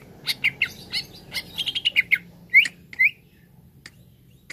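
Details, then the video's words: Green leafbird (cucak ijo) song used as therapy to bring birds quickly into full song. Rapid chattering notes and clicks run together, followed by two loud rising whistles and sparse ticks. "TERAPI CUCAK IJO BAHAN CEPAT GACOR"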